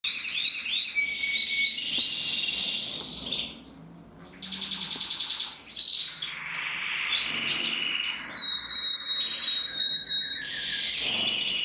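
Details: Male canary from a Loisachtal canary breeding stock singing a long, varied song: rapid trills, rolling warbled phrases and sustained high whistled notes, with a brief pause near the middle.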